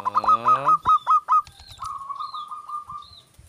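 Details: A zebra dove answers when its keeper calls it: a drawn-out opening note, then four quick staccato coos, then a soft rolling trill, with faint high chirps from other birds in the background.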